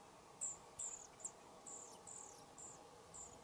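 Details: European pied flycatcher fledglings leaving a nest box beside a cabin, camera on a tripod next to the box: short high thin calls, about seven notes in three and a half seconds, irregularly spaced over faint steady background hum.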